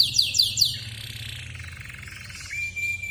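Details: A loudly singing canary of the AF series gives a fast trill of three or four high notes, then a pause and a long, steady, pure whistled tone near the end.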